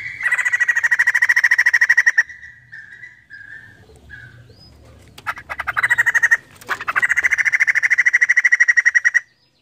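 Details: Two long bouts of rapid, grating screaming from a female white-crested laughingthrush, each a train of quick loud pulses, separated by soft short notes and a few clicks.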